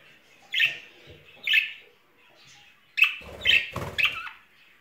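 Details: Budgerigars, a courting pair in spring: two spaced chirps, then a quicker cluster of chirps over a low rustling sound.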